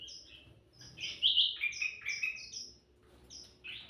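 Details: Energetic sooty-headed bulbul song used as a lure: quick, slurred, rollicking notes mixed with sharp high chips, a short pause, then another rising phrase.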